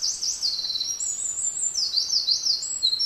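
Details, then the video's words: Eurasian wren, a tiny bird, singing in deep-mountain beech forest; a loud, high, rapid song of trills and warbled phrases, sweeping up and down in quick repeated notes without pause, over faint background hiss. "ミソサザイの鳴き声 （日本でいちばん小さな野鳥の鳴き声です）"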